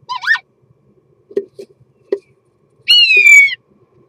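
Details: Singing common starling during mating: a quick twisting, rising-and-falling phrase, soft clicks, then a sustained harmonic whistle that gradually drops in pitch.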